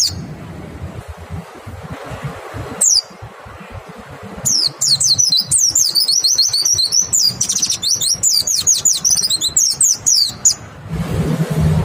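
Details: White-eye lure song, clear-voiced, used to prompt other white-eyes to answer; after a few brief high notes, rapid very high twittering trills of sharp rising and falling chirps run almost continuously for the last seven seconds over low rumbling background noise.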